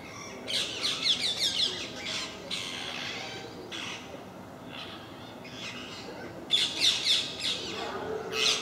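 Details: A noisy group of parakeets that regularly visit a park in Milton Keynes give harsh, high screeching squawks in bursts, overlapping and repeated several times a second, with brief lulls between flurries.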